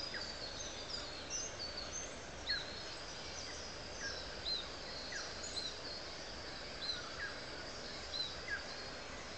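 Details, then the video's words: A pair of Double-barred finches building a nest in an orchard at a botanic garden in Gladstone, Queensland; thin high nasal calls repeated irregularly, roughly every second, over steady background hiss. "Double-barred Finches Building a Nest"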